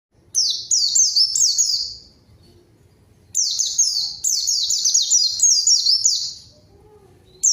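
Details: Energetic white-eye lure song, meant to call a rival bird into answering and joining in: bursts of rapid, high, descending whistled sweeps strung together, with a pause of about a second and a half before a longer second outburst.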